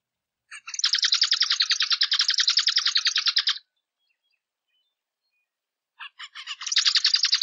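A zebra finch sings two rapid bursts of nasal, buzzy notes, several per second, the first about three seconds long, separated by a short silence.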